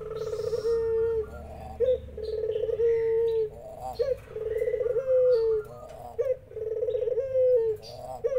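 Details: Spotted dove with zebra doves answering: evenly spaced, buzzy rolling coos that dip at the end, separated by brief rising yelps. Faint higher calls from other birds are scattered through.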